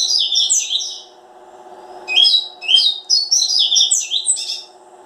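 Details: Quick, high, warbling chirps from a Double-collared seedeater in two close phrases, the second longer and more varied, set against a faint continuous low hum.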